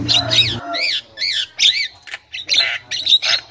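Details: Female Javan myna from the wild, very vocal, played to draw young mynas into song: arched, nasal whistled squawks repeated about three times a second, clear and loud, with a low hum at the start.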